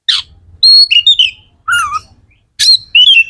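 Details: Magpie-robin, called kacer, singing loudly to stimulate other magpie-robins to sing: sharp high whistled notes and slurred descending phrases in short bursts separated by brief silences, faint low hum beneath.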